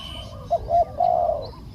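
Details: Decoy spotted dove luring wild birds: a short clipped coo followed by a longer drawn-out hollow note, with thin high bird chirps faintly in the background.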